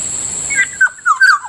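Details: Kilyawan, the black-naped oriole, heard in the morning by a rice field: a quick run of three or four liquid, down-slurred whistles, loud and close, with a thin steady high whine behind.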